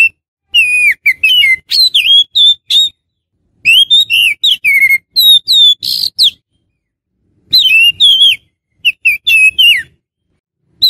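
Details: Oriental magpie-robin calling, a sound used to lure wild magpie-robins. Clear whistled phrases: rising and falling slurred notes and sharp chips in quick bursts, separated by short silences, with faint low rumbling underneath.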